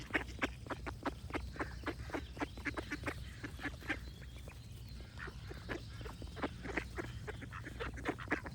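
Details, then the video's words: Busy flock-like duck chatter: rapid, harsh quacks repeated several times a second almost without pause, overlapping and fairly even in loudness throughout. "Cute Duck Quack Sound Effects with Birds Singing"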